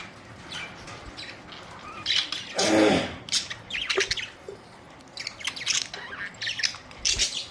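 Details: Budgerigars, colourful parrots recorded April 19, 2023, in lively chatter of squawks and chirps, with a loud broad warbling burst just before the middle and steady high calls continuing after.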